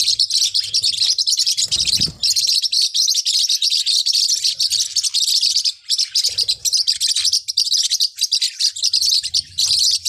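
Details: Forpus parrotlet calls, a steady wash of shrill, rapid tweets and twitters overlapping without a break, with one soft low bump near the start.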